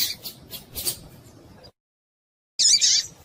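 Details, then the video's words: Female double-collared seedeater calling to excite a male into song: a quick cluster of high chirps, a silent break, then a loud, buzzy, warbling high burst. "Piado de Fêmea de Coleiro Para Esquentar Coleiro Com Fêmea de Coleiro Chamando"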